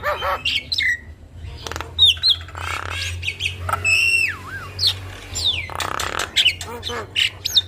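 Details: Masteran of a Javan myna, or jalak kebo, singing full isian for young mynas to learn: sudden clicks, long swooping whistles dipping and rising, and bursts of coarse rasping between them.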